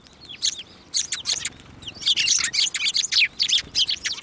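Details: Sparrows gathering at a Tenmangu shrine on 15 March 2024 to take food from a hand; dense run of loud shrill chirps, overlapping rapidly and almost continuous in the second half.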